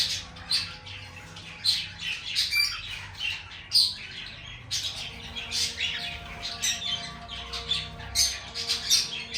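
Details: Lovebird singing with a busy stream of shrill, buzzy chirps and squawks in short bursts, almost continuous, over a faint hum.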